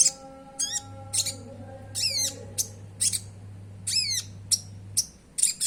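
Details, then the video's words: Oriental magpie-robin in lure recording, gacor style with sogon-type filling, meant to prompt caged birds to sing: harsh, rasping down-slurred notes with high sharp chips, repeated irregularly, over a steady low electrical hum. "Pancingan Suara Konin Gacor Bongkar Isian Sogon, Konin Bahan Langsung Bunyi!!"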